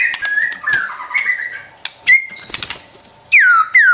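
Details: White-rumped shama song played to provoke a pet shama: wavering whistles and scratchy notes, then two loud sweeping whistles that fall sharply, among clicking sounds.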